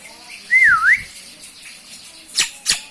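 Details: Common myna, Acridotheres tristis tristis, giving one clear whistled note that dips down and rises again, followed by two short sharp clicks.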